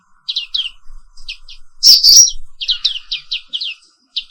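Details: Papua pleci 'wiklus' (black-capped white-eye) in morning song: rapid high chirped notes, a loud sharp whistle-like burst midway, then more quick twitters.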